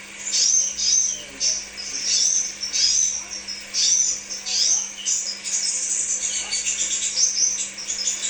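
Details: Crimson sunbird song in a lure recording for kept birds: high, thin chirps and squeaky phrases about once a second at first, then a continuous fast twittering, over a faint background hum.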